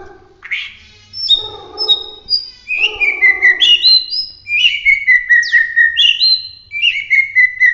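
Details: Bahorok white-rumped shama (murai batu) from Medan singing a loud gacor roll tembak: a harsh rasping opening, then a rapid run of ringing whistled notes, each sliding downward, repeated about twice a second.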